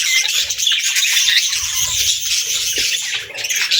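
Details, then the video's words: Flock of budgies keeping up an unbroken stream of bright, scratchy twitters and chirps, steady in loudness throughout. "Budgie Chirping Sounds"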